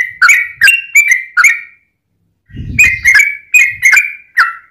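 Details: Lure recording of a yellow-vented bulbul singing in 'tarung ropel panjang' style, meant to make other bulbuls answer; four loud bubbly whistled notes, a pause with low rumbling, then a fast run of chirpy liquid notes.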